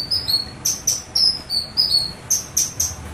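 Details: Cucak kinoi song used to prompt other birds to sing: sharp, high whistled notes that drop slightly, repeated in short, fast series with brief pauses between groups.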